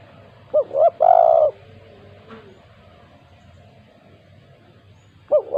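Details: Lure recording of a strongly calling 'kuk 2' spotted dove: a quick two-note coo and a long mellow held coo, a soft fainter note, several seconds of quiet, then the next phrase beginning.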